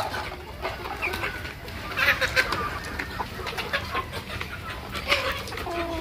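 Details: Farm flock of desi, or local, chickens grown for meat: scattered clucks rise from steady barnyard murmur, with a clearer drawn-out tonal cackle near the end and soft voices in the background.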